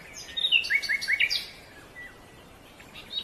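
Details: Silver-breasted broadbill, a forest bird that keeps to groups of its own species: quick run of thin descending notes in the first second and a half, then softer scattered chirps over faint background noise.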